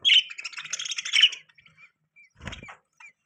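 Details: Pet budgerigars with newborn chicks; a fast, scratchy burst of warbled chirping for over a second, then a few soft scattered chirps and a brief low thump.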